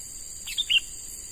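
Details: Young wild-caught sooty-headed bulbul, newly trapped and starting training as a lure bird, gives one brief bubbly chirping phrase of two or three notes over a steady high insect drone.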